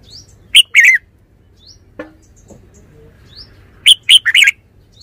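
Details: Red-whiskered bulbul producing two bouts of cheerful warbled song, a short note and a bubbly flourish, then a faster run of four slurred notes; a brief knock and faint chirps between.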